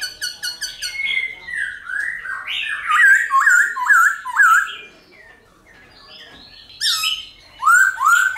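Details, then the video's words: Silver-eared laughingthrush singing in wild style to rouse captive birds: fast stuttered opening notes, then four dipping whistled notes in a row, a brief lull, and loud rising slurred whistles at the end. "Khướu Hót giọng rừng kích khướu bổi,luyện khướu bổi hót nhanh căng lửa"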